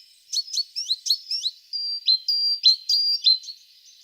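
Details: Singing tit: a series of crisp high notes, each sliding steeply downward, delivered in an uneven rhythm with some held whistled tones in between.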